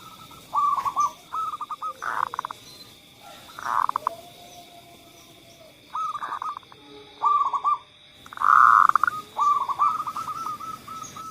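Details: Zebra dove song serving as a lure for non-singing doves: repeated short phrases of rolling coos separated by rough bursts, ending in a longer run of quick notes, with a constant high hum behind.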